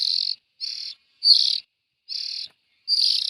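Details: Young bulbuls utter short, raspy, hissing bursts, five calls with pauses between, in a quiet background.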